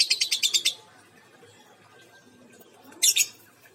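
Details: Female lovebird with an injured beak gives a quick burst of about six shrill, high chirps, then a quiet gap and one short, harsh double note near the end.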